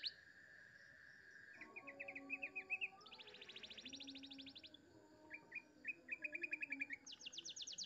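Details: Clear-toned canary tutor song in the cengkok mewah style. A held whistle leads into short chirps, a loud high buzzy trill, then spaced chips and a fast high trill. Quieter overall, with a low background hum.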